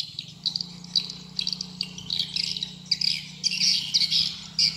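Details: Swiftlet calling sound for attracting birds in swiftlet farming: bursts of sharp, high twittering chirps in irregular clusters about twice a second, with a faint low steady hum beneath.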